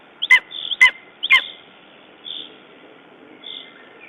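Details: Lesser spotted eagle at its nest in Estonia on 14 June 2011, after a raven attack, gives three sharp yelping notes about half a second apart, then falls silent while soft higher notes repeat steadily in the background.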